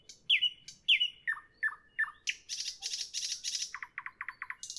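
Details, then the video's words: Nightingale evening song: loud down-slurred whistles repeated, then rapid harsh chattering bursts and a run of six short clipped notes in quick succession. "Evening nightingale, nightingale song, nightingale"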